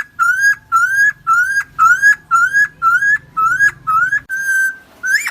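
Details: Helmeted friarbird, known locally as cucak timor or koak kaok, a Nusa Tenggara endemic, in a long lure recording for training birds: nine clear, nasal, slightly rising whistled notes about every half second, then a level note, over a low hum.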